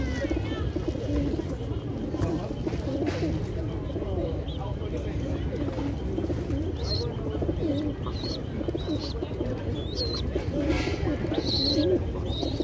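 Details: Racing pigeons in South Africa, 2024, coo steadily in a low, throaty, rolling murmur, many birds overlapping at once, with a few thin high chirps from small birds behind.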